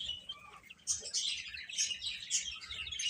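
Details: Baby chicks eating and playing, quiet start followed by a sudden rush of shrill, overlapping peeps that continue to the end.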